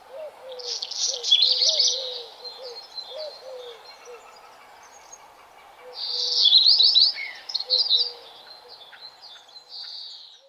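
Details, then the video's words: Outdoor bird chirping with two loud bursts of rapid, high twittering song several seconds apart, separated by quieter chirps, while a lower voice gives short, clipped notes in loose runs beneath. "Birds Chirping Ambience Sound"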